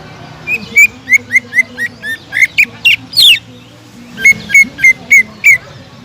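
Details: Greater green leafbird in full song, sharp spicy 'tembakan' shooting notes meant to stir other leafbirds into singing: a rapid run of clipped, repeated whistled chirps, some rising and sliding, in two bursts with a faint low hum behind.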